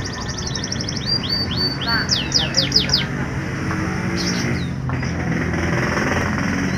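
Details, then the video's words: Canary song for provoking reluctant canaries to sing: a quick high trill followed by loud downward-sweeping whistled notes, then a short burst, against a low steady background rumble. "Pancingan Burung Kenari Malas Bunyi"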